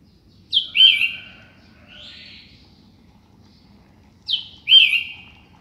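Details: Sooty-headed bulbul singing in the morning: a ringing downslurred whistled phrase, a soft buzzy note, then the same whistled phrase repeated almost four seconds later.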